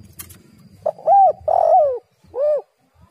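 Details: Female spotted dove call used as a lure; a short opening note, a clear arched coo, then a longer wavering coo sliding downward, ending with a separate rounded coo after a brief pause, over faint low rumbling.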